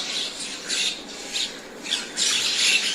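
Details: Common myna giving harsh, grating squawks in rough bursts of varying length, with brief quieter gaps between them and a longer, louder run of rasping notes near the end.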